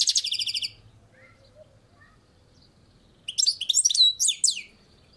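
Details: Balcony goldfinch finishing a fast rattling trill, then after a pause starting a new phrase of tinkling twitters and sharp sliding whistles, high-pitched and clear.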